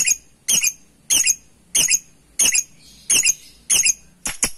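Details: Lovebird calling a rival, sharp squeaky shrieks given singly about every half second, with quiet gaps between them and a quick double burst near the end, over a low indoor hum.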